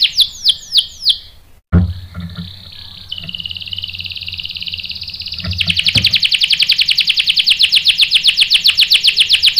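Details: Canary song used as a lure to provoke other canaries to answer and roll: downward-sweeping whistled notes, a brief gap, a steady high tone, then a fast, sharp, buzzy rolling trill with faint low hum behind.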